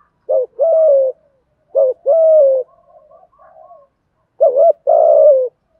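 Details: Male and female spotted doves cooing in the steady 'thúc gù' style, used to stir newly kept birds to call. Three low mellow phrases, each a short wavering note and then a longer, level, slightly falling coo. Softer murmuring coos fill the middle.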